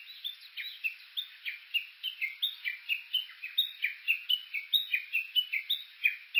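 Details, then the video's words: Recorded on foot along Uguisu Road by Mount Yakushi on Suo-Oshima, Japan, with an OLYMPUS Voice-Trek V-82, a Japanese bush warbler repeats sharp, buzzy chattering notes in a fast, steady series lasting over six seconds, growing slightly louder. "Cya's original sound ウグイス"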